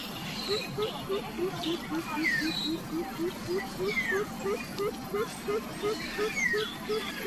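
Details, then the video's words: Coucal mother angry at chicks that are still not full after being fed plenty: a steady stream of short low hoots, roughly three per second, over downslurred whistles from other birds and a steady background hum. "INDUK BURUNG BUBUT Marah KEPADA ANAKNYA SUDAH BANYAK DI BERI MAKANAN TAPI TIDAK KENYANG JUGA"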